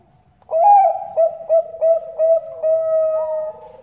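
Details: Female Bangkok zebra dove calling to a male as a lure call: clear coo notes broken into a quick run of five or six short pulses, then one long held tone that rises at the end.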